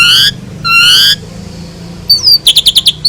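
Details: Asian pied starling master recording for tutoring other songbirds: two long, rich harmonic whistles, a pause, then a falling thin whistle followed by a quick series of five clipped chip notes.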